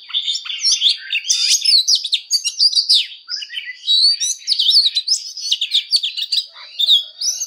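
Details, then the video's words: Oriental magpie-robin delivering an intense fighting song while training its voice: nonstop rapid mix of bright whistles, trills and harsh scratchy notes, loud and varied throughout. "Choè than hót đấu/Choè than hót luyện giọng căng lửa/Choè than hót"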